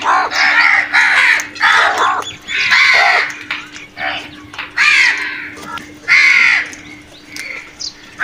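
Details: Crows calling loudly while attacking food: harsh, hoarse caws with rich harmonics, given in quick bursts of overlapping calls from several birds, some drawn out, others short, with brief quieter gaps between them.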